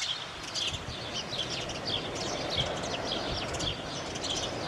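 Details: Several birds singing together at dawn in May, with repeated bright chirped notes recurring about every half second amid other high twitters, over a constant low background hum.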